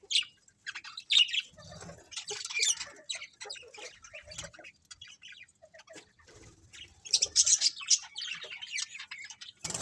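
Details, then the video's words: Budgerigar colony: uneven scratchy chirps and squawks at moderate loudness, some soft thuds beneath, quieter in the middle before a louder burst of chatter near the end. "Cute Colourful Budgies Chirping Sounds | Budgies Colony"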